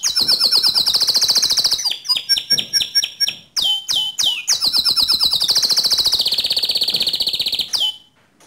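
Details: Canary song used for training other canaries: a long fast rolled trill, then spaced sweeping whistles, then another extended rattling tour ending in a clear high note and silence.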